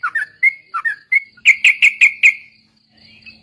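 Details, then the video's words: Sooty-headed bulbul lure song for training other birds, ombyokan and ropel style; a few warbled two-note whistles, then a rapid string of five sharp, buzzy chips on one pitch, fading into quiet. "suara burung trucuk||pancingan bahan ombyokan dan ikut ropel"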